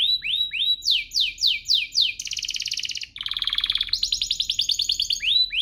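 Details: Canary singing to goad other canaries into song: a few slurred rising whistles, then quick descending notes, a harsh buzzy roll, and a rapid rattling trill of short repeated syllables.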